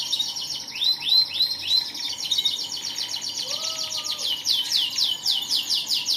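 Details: Canary singing vigorously (gacor), named as an AF canary: rapid high trills and repeated swept notes in fast runs of about four per second, with brief lower whistled slides midway and a faint background hiss.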